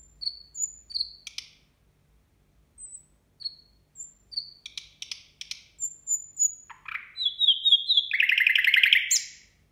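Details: New Year song of a nightingale: spaced high whistles alternating with clicking bursts, building into a swooping descending note and a fast, loud rattling trill before stopping.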